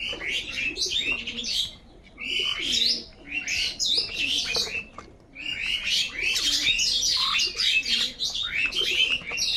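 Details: A flock of crows noisily contesting food in the morning, producing a near-continuous chorus of harsh, grating caws from many birds at once, pausing only briefly twice.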